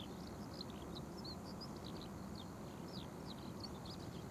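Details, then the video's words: Budgerigars by the Oita River in Japan, recorded on October 15 at 8:06 in the morning: a continuous scatter of short, high, squeaky chirps and twitters, fairly faint above a steady low rumble of traffic and flowing water. "大分川 セキセイインコ Oita River Budgerigar"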